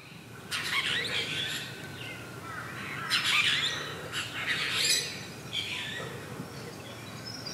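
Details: Apostlebirds at their mud nest in Australia; bursts of harsh, scratchy squawking calls in several rough clusters, loud and grating, with brief gaps between outbursts in an open outdoor setting.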